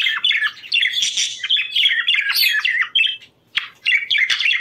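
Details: Budgerigars chattering, used to bring on breeding condition; rapid twittering warble of squeaks and chirps, a short silence, then more chirping notes.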